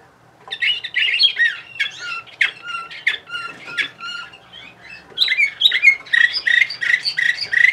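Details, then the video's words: Bulgarian canary from Sofia, 2020, delivering continuous song: varied chirps and short whistles, then a steady, rhythmic trill of rapidly repeated bright notes filling the last few seconds. "Bulgarian Canary"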